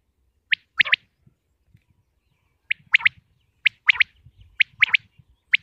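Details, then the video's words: Sparse calling of common quail (batair) from Pakistan: single short high notes and quick pairs spaced by silences, with soft low knocks in the background. "quail sounds 2023|batair ki awaz 2023|pakistani batair|top sounds of batair"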